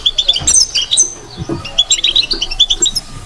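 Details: A European goldfinch gives subsong babbling, a quick, bright twittering of high chirps and liquid trills in rapid bursts, with a few soft low thumps beneath.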